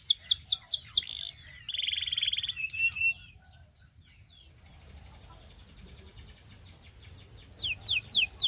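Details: Canary song with quick downslurred whistles and a buzzy trill, followed by a quieter stretch of faint twittering, then a return of loud, sweeping whistled notes.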